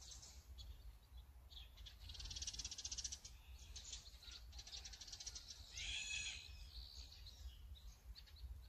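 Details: Azure-winged magpie captured with a Sony A9 and 200-600mm lens, giving harsh, rasping, rapidly pulsed buzzy calls, one long rattle followed by shorter grating bursts, over steady low background rumble.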